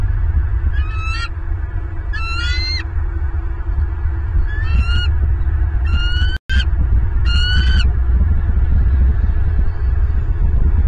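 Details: Bald eagles at a nest in Southwest Florida, filmed by a nest camera on January 23, 2023 at 09:45: five bursts of thin, high, rising chirped notes at uneven intervals, over a steady low rumble of wind.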